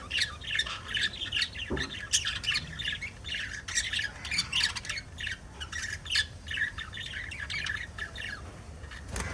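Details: A family of five caged budgies calling nonstop: dense, scratchy chatter of harsh squawks and chirps overlapping throughout, busy and unbroken, over a low room hum.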